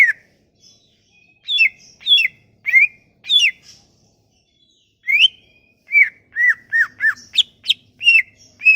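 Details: Sumatran leafbird song, used as a lure for leafbirds that have stopped singing: a lively string of sharp whistled notes, some rising and some falling, with a short pause midway and then a quicker run of notes.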